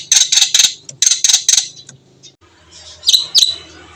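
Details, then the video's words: White-eyed Javan myna singing vigorously with a rich learned repertoire: two quick groups of harsh, scratchy chattering notes, a short quiet gap, then a couple of sharp rasping calls. "jalak kebo mata putih gacor isian mewah"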